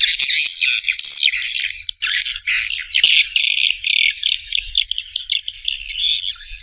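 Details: Swiftlets twitter in a busy, buzzy stream with a steady thin whistled tone running beneath, nearly unbroken throughout.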